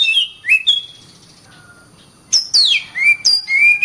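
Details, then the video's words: White-rumped shama singing: a couple of quick whistled notes, a pause with a faint soft tone, then a fresh burst of sharp downslurred whistles and clear level phrases. "suara burung Kacer gacor"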